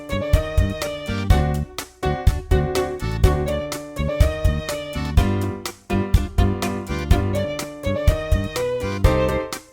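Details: Instrumental music with bowed strings and keyboard plays in a steady, rhythmic pattern, and no animal voice can be heard.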